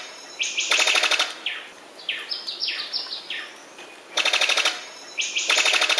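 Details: Sicklebill bird-of-paradise giving rising, whistled upslurs in quick series, broken by three bursts of fast, harsh rattling, with a steady hiss in the background.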